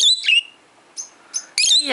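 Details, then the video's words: Twelve-year-old pet peach-faced lovebird, looked after by a bird sitter, calling out to recorded lovebirds played to it: sharp, high chirps and tweets in short bursts, separated by quiet gaps, ending in a longer harsh, squawky burst. "Lovebird tweets for other Lovebirds"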